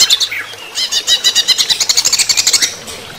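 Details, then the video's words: Greater green leafbird during running-water therapy, giving a brief whistled note then a long, fast series of sharp, even, chattering notes about a second and a half long. "terapi air mengalir untuk cucak ijo"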